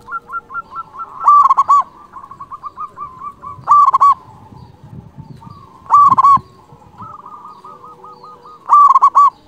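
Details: Vigorous local zebra dove with a big, emotional voice that calls rivals. Staccato lead-in notes build into four loud, harmonic rolling coo phrases, spaced about every two and a half seconds, with quieter notes in between.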